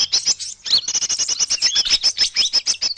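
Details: Recording of small birds meant to lure them in. A steady stream of rapid, sharp, high chirps is mixed with short warbled whistles and clicking notes, with little pause between them.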